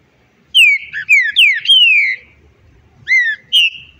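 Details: Loud, clean whistled song of a green-winged saltator: a string of short down-slurred notes ending in a long level whistle, then two brief whistles after a pause; quiet background.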